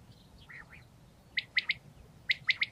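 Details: Male common quail calling to gather other quails: a few soft, low preliminary notes, then two crisp three-note phrases, each a quick sharp liquid triplet, with faint background hiss.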